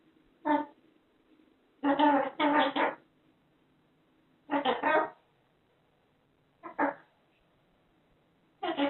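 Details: Indoor cockatoo, kept as a pet, rattling off invented speech built from repeats of its own name. The phrases are short and harmonic, voice-like, and separated by quiet pauses of one to two seconds.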